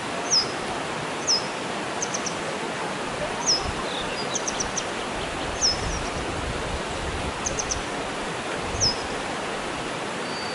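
A grey wagtail gives sharp, high metallic 'tzit' calls, single or in quick pairs, every second or two over steady rushing water.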